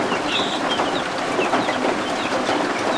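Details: Baby guinea fowl keets, just hatched, kept warm under a heat lamp while rain falls outside; a busy chorus of thin, high peeps and short upslurred chirps sounds over constant rain noise.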